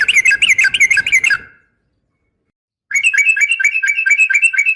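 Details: Female yellow-vented bulbul calling a male, a long rapid 'ropel' series used as a lure to make males sing: fast bright chattering notes, a pause of over a second, then a second rolling burst.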